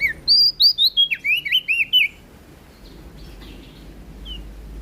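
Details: Prinia from NTB, singing loud and full: a quick run of about ten sharp, slurred whistled notes over two seconds, then near quiet with one faint note later.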